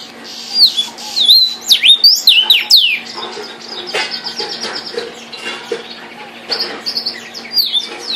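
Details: Song of the vermilion cardinal: a run of bright, swooping whistles and quick down-slurred notes, followed by softer rapid chattering trills and a few renewed level whistles near the end.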